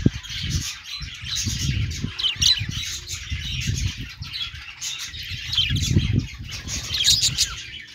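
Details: Budgerigars chattering in a lively mix of harsh squawky notes and quick chirps, rolling on without pause over intermittent low rumbling knocks.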